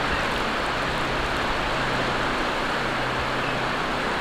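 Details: Constant hiss of shallow waves washing ashore in Florida, with a faint low hum underneath and no clear bird call.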